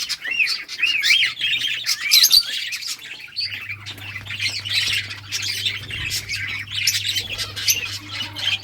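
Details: Budgerigars at play, several birds chattering at once: wavy rising-and-falling warbled notes early on, then dense overlapping chirps and squawks, with a steady low mechanical hum from about three seconds.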